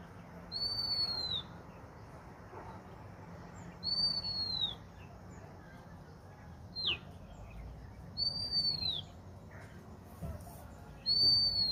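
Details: A bird, described as lonely, gives thin, high, clear whistles that slide downward, repeated about every three to four seconds over a steady low rumble of background noise.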